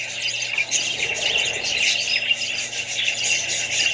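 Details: Australian budgerigars, adults and young kept together with other birds, produce a dense, continuous chatter of overlapping squeaky chirps and warbles, with a steady low electrical hum underneath.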